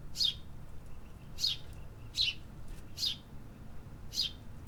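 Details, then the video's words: Urban birds calling: five bright downslurred chirps at irregular intervals of roughly one second, with faint softer notes between and a low background rumble. "Urban Birds Sound Effects"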